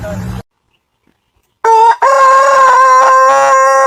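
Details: Crowing rooster, a brief noisy sound, then silence, then a loud, even, sustained crow with a short break after its opening note, held steady to the end.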